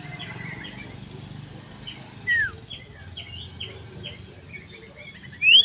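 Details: Common iora singing loudly and persistently while seeking a rival, recorded 27 December 2022: scattered thin whistled notes and short downslurred chirps, with one sharp rising whistle at the end over a low background hum.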